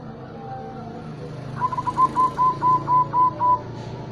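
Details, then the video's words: Local zebra dove from Tuban with a big voice and booming 'kung' ending, kept to prompt and tutor young doves learning song phrasing. It gives about eight clear, even coos at one pitch, roughly four per second, over a steady low hum. "Perkutut lokal SUARA BESAR KUNG MENDENGUNG"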